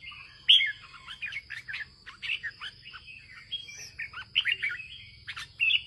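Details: A farmer's Red-whiskered bulbul delivers northern-style 'ché' song, with scattered clear whistled phrases and sharp chirps in loose bursts over about six seconds and a constant high-pitched tone in the background.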